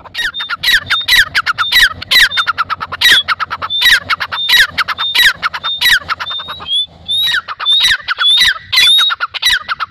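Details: Dakhni teetar, the grey francolin, gives a long run of harsh, ringing calls, each with a thin high whistle and a downward slurred note. A brief pause breaks the series near the middle before it resumes.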